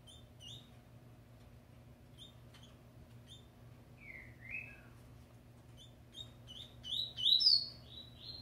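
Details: Double-collared seedeater, a bird being prepared for the 2019/20 season, giving scattered high chirps, then a louder run of quick sliding notes near the end, over a steady low electrical hum.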